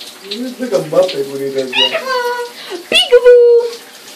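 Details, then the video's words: A male Eclectus parrot taps his own beak with his foot and says "boop" over and over, then "peekaboo", in a nasal, voice-like tone ending on a sustained squeaky note, with running water in the background. "Eclectus "booping" himself. With peekaboo!"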